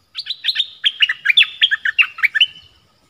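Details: Streak-eared bulbul (Pycnonotus conradi) singing, recorded 25 January 2021: a fast run of about a dozen bright, chirpy notes over two and a half seconds, loud and clear with nothing else heard.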